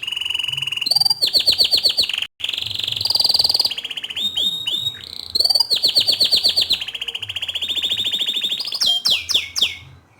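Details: Bottle-green canary singing a training song meant for tutoring young canaries: loud rapid trills of repeated notes, buzzy rattles and sweeping whistles, changing phrase every second or two, with one brief break.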